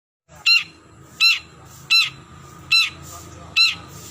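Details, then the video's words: Long-tailed shrike (cendet) calling a rival: five harsh, buzzy notes, each a stacked burst, repeated roughly every 0.8 seconds, with a faint low hum behind. "Suara Burung Cendet Memanggil Lawan"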